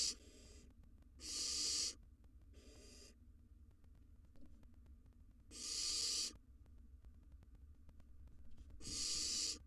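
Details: Wild barn owl nestling filmed by a monitored nest-box camera during its flight-training stage. It gives loud, harsh, breathy hisses, each about a second long, five bursts spaced irregularly over ten seconds, with quiet low rumble between.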